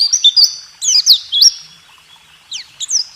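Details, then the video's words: White-eye rool tembak song for training caged songbirds: short clusters of thin, high whistled notes with a sustained tone, a silent gap, then a few separate downslurred chirps. "Masteran burung pleci..rool tembak terbaru 2023"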